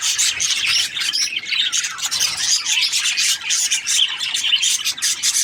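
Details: Budgerigars chatter in a thick, unbroken wash of high twittering chirps and squeaky squawks, several birds calling at once.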